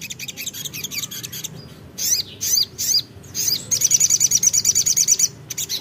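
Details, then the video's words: Ruby-cheeked sunbird (sogok ontong) singing energetically while calling a rival: bursts of high, sharp chirps with downward-sweeping notes, then a fast, even trill of about fourteen clipped notes near the top of its range, over faint low background hum. "sogok ontong (sogon) GACOR memanggil lawan"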